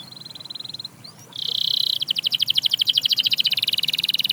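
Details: Canary singing to set other canaries off: a thin steady high trill, a short rising slur, a loud buzzy note, then a fast pulsed rattle of about eight notes a second.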